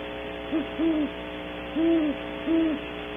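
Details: Great horned owls, a pair visiting a cavity in early morning at Audubon Starr Ranch, California, via a wildlife camera: three soft, low, mellow hoots, the first doubled, set against a constant buzzing hum.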